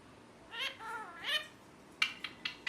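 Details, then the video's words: Pet green ringneck parakeet with harmonic, wavering, talk-like calls in two bursts, then four short sharp chirps spaced evenly. "First Time Mithu is Speaking His Name Clearly | Parrot Chirping Sounds | Natural Parrot Sounds"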